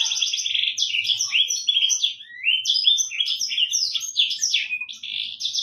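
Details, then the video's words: A black-throated canary, recorded as a song-tutor recording, sings a fast, unbroken warble of high, sweet twitters and rising slurred notes, tumbling along without pause for several seconds. "MASTERAN BURUNG AFRIKAAN / BURUNG BLACKTHROAT"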